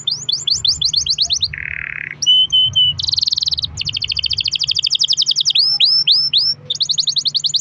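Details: Canary singing as a lure to start other canaries: quick repeated rising chips, a short harsh buzz, a steady whistle, then long rapid rolls and swooping repeated notes, with a faint low hum beneath.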